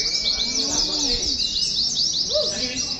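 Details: Contest-style chorus of Oriental white-eyes recorded for training, a steady dense layer of very high, fast chirps and zigzag trills, with a few lower whistled slurs underneath.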